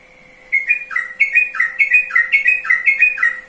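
A Yellow-vented Bulbul bubbles out a rapid run of liquid, slurred notes, rising and dipping about twice a second, over a faint steady hum.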